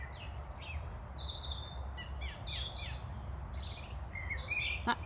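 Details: A chattering song thrush on a Sunday-morning walk in a local nature reserve among buttercups and dandelion seed heads delivers bright, varied high whistles and chirpy notes, while a male blackbird calls behind, over low wind rumble.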